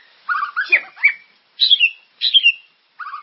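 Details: White-rumped shama, the murai, giving a lure song to encourage caged birds: short clusters of rich whistled notes and harsh chirps, each burst slurring downward, separated by brief pauses.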